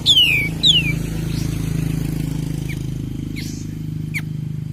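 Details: Cream-vented bulbul lure recording meant to rouse other kept birds: two quick, high whistles sliding steeply downward open the clip, then fainter distant notes over a steady low engine-like hum.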